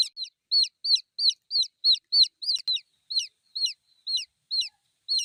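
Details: Baby chick calling for the mother hen: a run of shrill, descending peeps, two to three per second with a few short gaps, clean and free of background noise.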